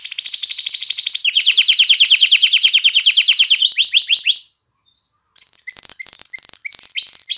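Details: Canary singing to excite females into mating and coach chicks: a long high rolling trill drops into a lower steady roll with swooping notes, a pause, then loud spaced whistled notes with soft lower chips.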